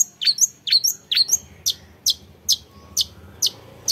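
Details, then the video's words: Young long-tailed shrike repeats piercing high chirps, first in quick doubled notes, then as single sharp notes about every half second. "MENYAKSIKAN GAYA CENDET MUDA ‼️PROAKTIF"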